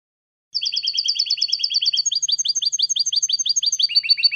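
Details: European goldfinch song for teaching fledgling goldfinches: after a brief pause, rapid high repeated notes run in steady trills, changing to a new motif about halfway through.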